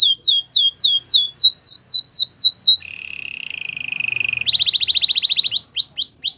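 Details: Belgian canary singing, used for training canaries: a series of rapid down-slurred whistled notes, then a low steady rattling roll, followed by fast bright trills and rising swept notes.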